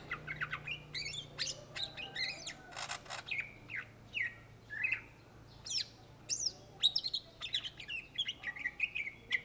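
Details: Greater green leafbird (cucak ijo), a native Indonesian bird, singing gacor: a fast, varied run of sharp chips, rising and falling whistles and buzzy bursts, almost without pause.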